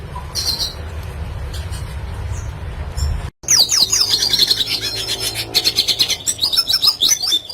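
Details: Red siskin in a lively classic-style song, used to tutor other birds. A faint, hum-backed opening gives way, after a brief gap, to dense, high twittering. Rapid chirps and buzzy trills run on without pause.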